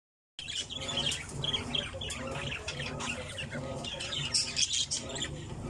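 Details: Several budgerigars in an aviary chattering together, a dense overlapping mix of squawks, chirps and warbled notes with sharper bursts near the end.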